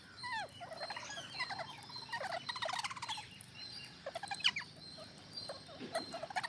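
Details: Green parrots massing together, trading a dense stream of harsh, buzzy squawks and chattering notes, some sliding down in pitch, set against a steady high background tone.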